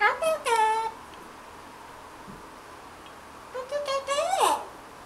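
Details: Drowsy pet parrot in the morning, mimicking animal noises: a loud cluster of harmonic, falling whines, a quiet pause, then a rising series of stuttering whine-like notes ending in a sharp yelp.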